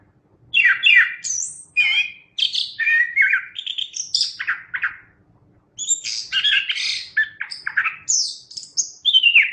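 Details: Chestnut-backed thrush in vigorous, full song: rich varied phrases mixing warbled notes, buzzy trills and high thin whistles, in two long bursts split by a brief pause, with a quiet background.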